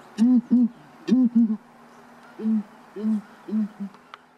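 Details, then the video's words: Southern Ground Hornbills in Kruger National Park call and answer each other with deep, hollow booming notes in quick pairs and triplets, then single booms about half a second apart. "Southern ground hornbill calling"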